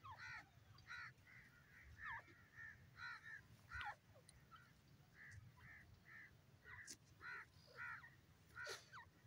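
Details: Grey francolin giving a run of short, clipped, piping notes about every half second, some with downward inflections, against a steady low background noise.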